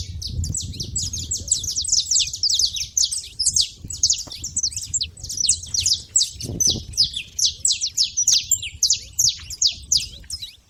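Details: Saffron finches chattering at a feeder, many sharp, high-pitched chips run together in dense bursts, fading slightly toward the end, with a low hum behind.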